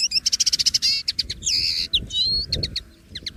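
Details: Free-living common linnet singing a fast phrase: a rapid series of sharp repeated chips, then a drawn-out buzzy note and twisting whistled notes, ending in scattered chirps.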